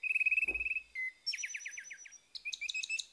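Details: Orange-headed thrush morning song, played to coax a bird that has stopped singing: a fast, even run of repeated notes, then a series of slurred descending whistles and mixed high chirps, all loud and clear against silence.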